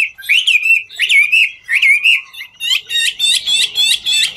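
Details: A Chinese hwamei sings ngũ trường song as it dances, opening with a few looping whistled phrases, then switching to a fast series of harsh, rattling notes pulsed several times a second.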